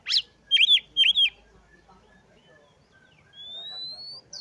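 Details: Oriental magpie-robin song played to provoke other magpie-robins into singing: one rising sweep, then two loud arched whistled notes, followed by a long faint rising whistle.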